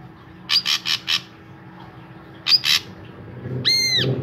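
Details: Drongo singing vigorously as a lure for other drongos: four rapid rasping bursts, a pause, then two more, followed by one arched, ringing, nasal call with strong overtones. A faint low hum sits underneath.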